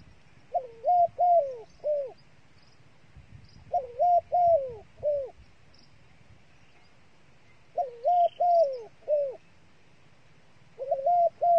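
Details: Bait dove repeats the same three-note cooing phrase roughly every three seconds, the last note short and falling, in an otherwise quiet setting.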